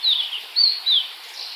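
Blue-and-white flycatcher singing three quick, high, clear whistled notes that slur downward, over a faint background hiss.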